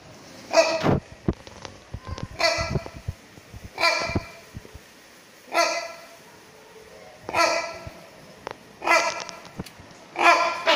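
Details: A rhinoceros hornbill (Buceros rhinoceros silvestris) at Chester Zoo gives seven loud, harsh, nasal honks, roughly one every one and a half seconds, with faint clicks and knocks between them.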